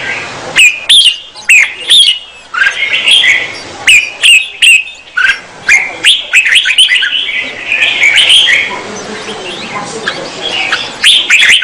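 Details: Singing female red-whiskered bulbul, stimulating the male: lively whistled and chattering phrases in quick bursts, with loud snapping clicks between notes and a longer, denser warble toward the middle.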